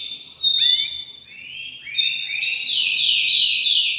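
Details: Male canary singing to prepare a female for mating: a sharp drooping whistle followed by rolling trills that step upward into a loud, fast high trill.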